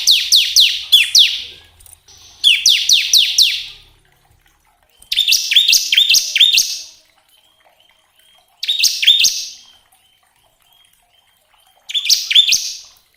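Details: Lure recording of Bar-winged prinia song meant to make caged prinias sing quickly: short bursts of rapid, high, downslurred chirps, about five bursts separated by pauses of one to two seconds, with a faint thin whistle between them.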